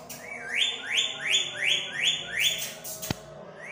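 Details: A green Indian ringneck parrot, whistling and walking, gives a quick run of six bright, rising whistles, nearly three a second, each sliding up and holding a clear note; a single sharp click sounds near the end.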